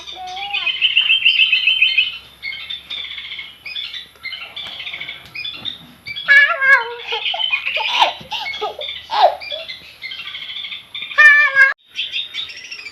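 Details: Juvenile long-tailed shrike learning song, mixing a thin high trill, varied scratchy warbles and several loud, harsh nasal squawks that sound almost like laughter in the second half.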